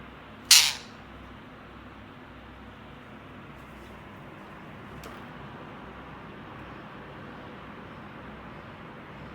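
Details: A steady low hiss fills the recording, broken by one sharp, loud click near the start and a faint tick around the middle, with no animal voice.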